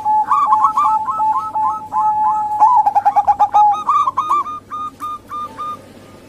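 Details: Lure call of local and Bangkok zebra doves, a local female among them, meant to draw males or wild birds. Fast stuttering coos step up and down in pitch, then a burst of loud rapid pulses fades into spaced notes.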